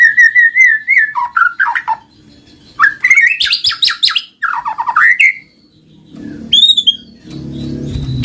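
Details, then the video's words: White-rumped shama delivering 'gacor' lure song for lazy shamas: a steady whistled trill, descending slurs, then dense harsh chattering phrases and a rising high whistle, followed by faint low background noise. "Pancinggan Murai Batu Jadi Gacor Ngeplong, Murai Malas Bunyi Langsung Respon Gacor"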